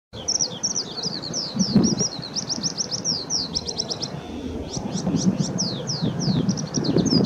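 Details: Eurasian skylark singing by the Ōhori River on 22 May 2016: a continuous rapid high warble of twittering, trilled and buzzy notes tumbling without pause, over a steady low rumble of wind or distant noise.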